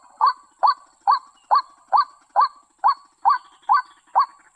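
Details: White-breasted waterhen (ruak-ruak) calling, a recording used as a lure for bird trapping: loud, rising, nasal kruak notes repeated steadily about twice per second, ten in a row, with a faint steady high hiss behind.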